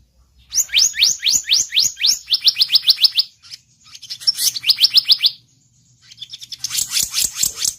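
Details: Blue-banded kingfisher lure sound: long runs of rapid, high upward-slurred chirps, speeding up, ending in a rougher chattering burst.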